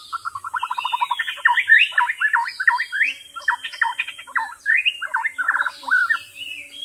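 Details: White-rumped shama singing in the wild. It gives a rich, varied run of whistles: a fast stuttered series opens, then looping, up-and-down whistled notes follow almost without pause. A steady high hiss sits in the background.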